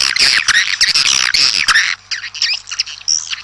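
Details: Swiftlets calling the flock outdoors: a dense burst of high, buzzy, squawking chirps and clicks overlapping for two seconds, then sparser scattered twitters and a thin rising note near the end.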